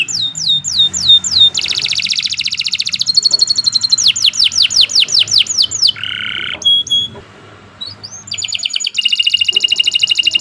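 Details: Canary in long, continuous song, used as master song for training beginner songbirds in the morning: rapid high trills and repeated downslurred sweeps switch every second or two, with a brief lower buzzy phrase midway and faint background hum.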